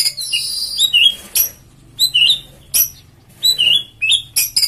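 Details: White-rumped shama, kept for its aggressive, agile singing style, delivering loud phrases of rich whistles, rising and falling slurs and sharp high notes separated by short pauses.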